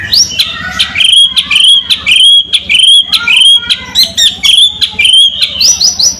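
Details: White-rumped shama in energetic rolling, rough song with crackling notes: rapid bright whistles and sharp upward-slurred notes repeated in quick bursts, almost continuous, over a steady low hum.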